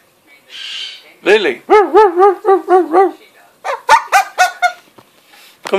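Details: Pet umbrella cockatoo, asked to 'do the dog', gives a run of about six hoarse, arched bark-like calls in quick succession, then a second shorter burst of barks, with a woman's coaxing voice before and after.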